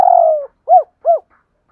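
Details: Spotted dove cooing in the 'hai hậu' style with two tail notes: the end of a long, slightly buzzy falling coo, then two short arched coos about a third of a second apart, in silence.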